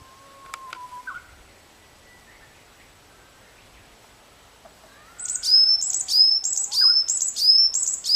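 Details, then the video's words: Varied tit song begins after about five seconds of near quiet with faint distant calls. It is a rapid, regular series of high squeaky notes, each sliding down to a clear lower whistle, repeated over roughly seventy per minute. "ヤマガラ 囀り ヤマガラの鳴き声 Varied tit chirping"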